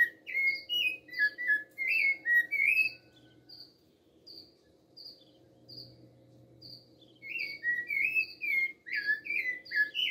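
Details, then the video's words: A rufous-bellied thrush sings rich, fluting whistled phrases with a pause between, while a cricket's steady high trill and a faint low hum run underneath. "Sabiá Vs Grilo"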